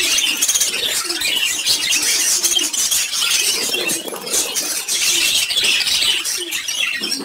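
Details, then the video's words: Several lovebirds chirping at once: a steady wall of shrill, rapid twittering and squeaky notes running unbroken through the whole stretch, with no clear pauses. "Beautiful Colored Lovebirds Chirping Together"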